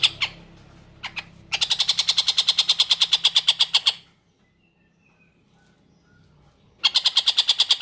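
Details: Long-tailed shrike in full voice, kept as tutor song for white-rumped shamas: a few scattered rasps, then a long burst of rapid harsh chatter, a near-silent pause with faint thin whistles, and the chatter returns.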